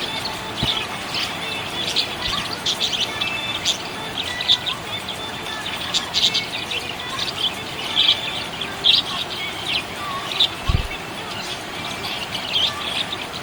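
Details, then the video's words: A happy budgerigar keeps up dense, bright chirps and chatter, in rapid bursts that recur every second or so, over faint constant background noise. "Happy budgie chirping sound"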